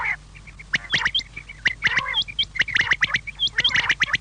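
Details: Evening quail call to lure quail: dense run of clipped, slightly harsh notes in tight groups, interspersed with short thin whistles, continuing without pause over a low hum.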